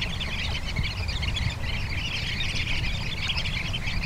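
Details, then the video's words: Sanderling calls on Bañugues beach in Asturias: many quick, thin twittering notes run together without pause above a constant low roar of waves and wind. "Correlimos tridáctilo (Calidris alba)"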